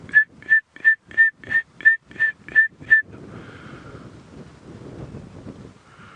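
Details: Red-crested Korhaan at Djuma Game Reserve, South African bush, on a late-afternoon drive on 18 Nov 2016, gives nine clear, evenly pitched whistled notes, about three per second, then wind and vehicle rumble; males call from open perches to attract females.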